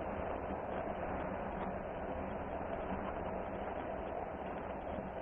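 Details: Steady, dense rumbling roar like a passing train or engine, with no animal voices.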